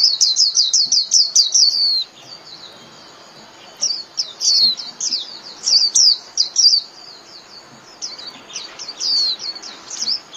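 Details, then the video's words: Japanese white-eye 'líu' style song, played daily to train caged birds: a quick run of high sweeping chirps for two seconds, a silent gap, then looser bursts of squeaky twitters. "TIẾNG CHIM KHUYÊN LÍU CỰC CHẤT"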